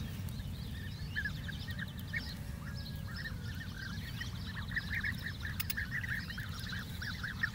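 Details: European bee-eaters in the Doñana dehesa, Andalusia, Spain: a flock calling with many brief burry notes, some rising, at varied distances and growing denser toward the end, over a constant low rumble.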